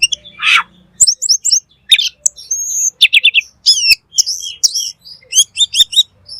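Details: Black magpie (cucak keling) in full, energetic gacor song: a rapid medley of high sharp chirps, whistled downslurs and short buzzy notes, with a brief harsh rasp near the start.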